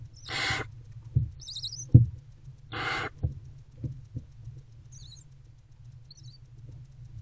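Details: Barn owl mother and older owlet together in a nest box before dawn, 20 February 2024; two brief raspy, hissing screeches about two and a half seconds apart, followed by soft knocks and scuffles inside the box.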